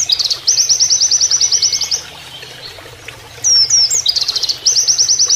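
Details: Canary-style Oriental white-eye song used to train captive birds. Fast high trill bursts are split by a quiet gap, then come twisting slurred whistles and another run of repeated notes, with running water faintly beneath.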